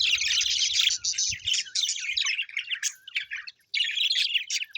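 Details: Pet budgerigars, described as happy, chirping in dense overlapping bursts of bright, buzzy warbles and squeaks with short pauses, a lively flock chatter.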